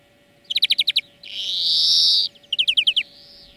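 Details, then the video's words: European greenfinch singing in a song-lesson recording: a fast trill of bright chirps, then a long buzzy wheeze lasting about a second, followed by another descending trill. "Florya Ötüm Dersi"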